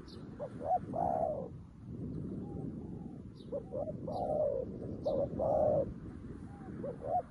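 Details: Captive decoy spotted dove, new to the job, cooing to lure wild doves: soft short hoots and longer rolling coos in uneven phrases, partly masked by steady low rustling noise, with occasional high chirps.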